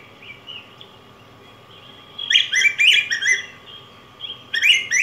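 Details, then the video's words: Song of a yellow grosbeak (Pheucticus chrysopeplus): a quiet opening, then a loud run of rich, slurred, whistled notes in quick succession, and a fresh burst starting near the end, with a steady low hum beneath. "Canto Del Pico Grueso Amarillo"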